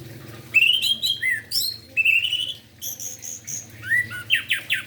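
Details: Morning orange-headed thrush song, played to stimulate other orange-headed thrushes; a continuous, varied run of rich whistles, slurred sweeps and sharp high notes, ending in rapid descending strokes.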